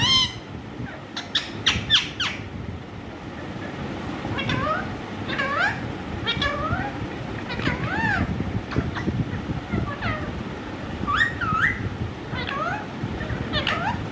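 Rose-ringed parakeet talking in short, rising and falling word-like phrases with a few harsh squawks, over a steady background hum.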